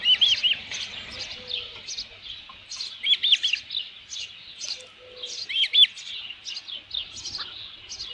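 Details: Osprey at a ranch nest with a headless fish, recorded 27 June 2018 around midday, repeating clusters of high whistled chirps every second or so, over a steady low hum.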